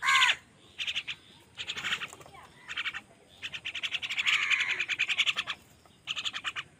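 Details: A crow, angry while fighting other wild birds for food, opens with a short, loud, harsh caw, followed by long trains of hoarse, pulsed chattering from the crowd of birds.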